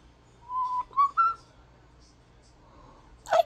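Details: Talking pet European starling kept indoors, known for mimicking its owner's kisses; three short clear whistled notes in quick succession, each slightly higher, followed after a pause by a single sharp smacking click.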